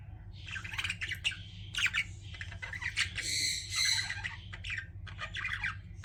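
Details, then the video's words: Pet budgerigars chirping indoors, a busy stream of scratchy warbles, clicks and squeaky notes with a sustained buzzy passage in the middle, over a steady low hum. "CUTE PET BUDGIES CHIRPING"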